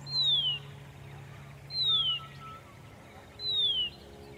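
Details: Horsfield's bronze cuckoo near Dayboro, southeast Queensland, Australia, November 2021, early-morning sun: three clear, descending whistled notes, each about half a second long, repeated at steady intervals of roughly 1.7 seconds, with a steady low hum beneath.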